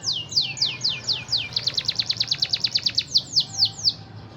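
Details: Canary singing in a lively, busy style: a run of loud descending whistled sweeps, then a rapid even trill of sharp repeated notes, ending with slower falling slurs; low background hum.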